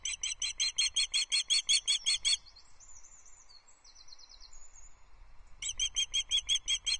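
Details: Osprey female calling for fish on a Loch Arkaig nest, 14 July 2024, nest camera, early morning, male present: a long run of about a dozen loud, piercing whistled chips, a pause with soft distant twittering, then the chipping resumes.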